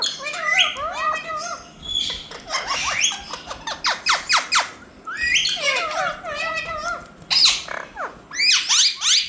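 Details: Pet parrots said to be saying "Mithu": a busy mix of harsh squawks, sharp chirps and rising slurred notes from several birds, with bursts every second or two throughout.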